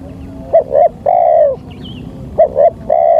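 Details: Trapping lure call of a spotted dove, two brief coos then a long slightly falling coo, repeated about two seconds apart against faint low hum.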